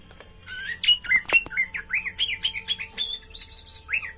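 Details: Orange-headed thrush in a cage pouring out a rapid stream of slurred, twisting whistles and chirps. The notes come several per second, with a few sharp clicks.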